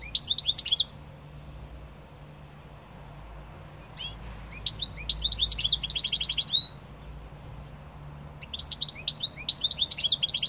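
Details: Goldfinch song in three lively bursts of fast liquid twitters, chirps and a buzzy trill, the middle phrase longest at about two and a half seconds, with a faint low hum in the background.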